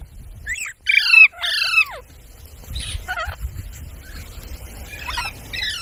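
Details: Parrot letting out two loud, raspy, descending squawks, then softer scattered calls over a low background rumble.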